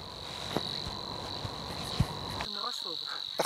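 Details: Savi's warbler reeling a steady, fast, insect-like buzz without a break in a reedbed in the Hania's polder, Nieuwe Dordtse Biesbosch, Netherlands, on a calm, nearly windless evening. A man talks quietly over the last second, with a few soft knocks.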